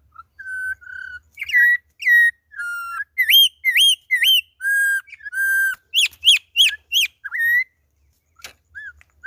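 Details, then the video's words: Campo troupial (concriz, 'imperador' type) on its second day, singing a loud series of clear whistled phrases, some steady, some rising then dropping, in short bursts separated by brief pauses, ending with a few softer notes. "Concriz imperador na pegada"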